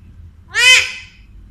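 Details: A male talking pet Alexandrine parakeet, which speaks Urdu and Hindi, gives one harsh, raspy, drawn-out squawk lasting about half a second over a faint low hum.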